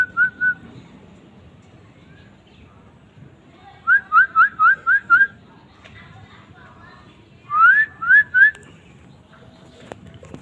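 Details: Asian fairy-bluebird singing: short bursts of loud, clear whistled notes, each rising sharply, given in quick runs of two to six, with quiet pauses between and faint low background rumble.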